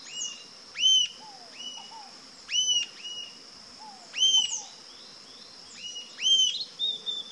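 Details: Rufous-tailed jacamar calling with loud, sharp arched whistles in short pairs and singles, spaced every one to two seconds, over a constant high-pitched insect drone and a few soft lower notes.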